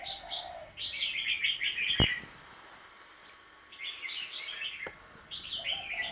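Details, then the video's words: Home bird recorded on 10 December 2020 gives rapid bursts of high, bright chattering twitters, pauses briefly with a sharp click, then resumes its busy chirping. "Tiếng chim nhà"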